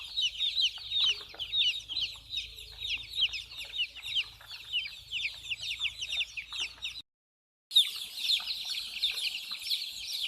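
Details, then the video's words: Small chicks playing and drinking, a crowd of high, thin chirps pouring out steadily, broken by a brief silent gap before the peeping resumes just as dense. "Baby chicks Running, chicks chirping sound, small chicks voice"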